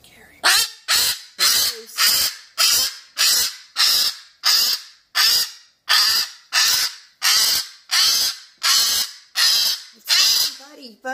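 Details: A male cockatoo keeps up a hawk alarm with a rhythmic series of loud, grating screams, roughly one every 0.7 seconds, over about eleven seconds. Faint speech sounds at the start.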